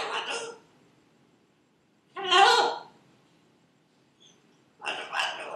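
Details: Pet female Buffon's macaw repeating her own name: three harsh, raspy spoken-like bursts, each about half a second, spaced about two seconds apart, with near silence between.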